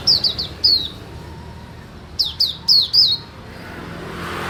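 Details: Small white-eye on a terrace gives a quick run of high falling whistles, then a pause, then a second burst of four sharper downslurred notes, with soft background noise.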